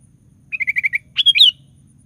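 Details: Sooty-headed bulbul singing vigorously, a recording meant to provoke other bulbuls to sing: five evenly spaced short chirps in quick succession, then a pause and a rich bubbly, slurred whistled flourish, against a faint low background hum.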